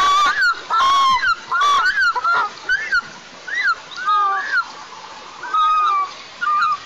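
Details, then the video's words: Woken white-tailed eagle chick on its pine-top nest in southeastern Tatarstan, 23 July 2024, crying with thin, upslurred then falling wails, in short bursts with gaps, some overlapping notes. "Елга разбудила Инеша, кусь и плак-плак на гусином"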